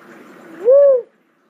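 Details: One rounded, mellow coo from a cuckoo-dove, preceded by a soft hiss of background noise, the note gently arching up and down.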